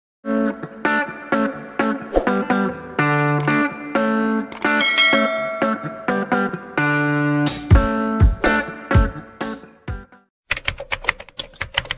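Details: Distorted electric guitar music with steady harmonic chords and plucked notes, ending in short choppy strums; no animal voice is heard.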